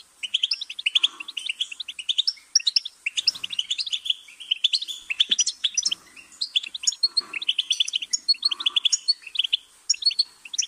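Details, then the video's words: A goldfinch's song: a long, fast run of liquid twittering and sharp chips, with overlapping phrases that barely pause, and faint soft lower notes in the background. "Goldfinch's Singing"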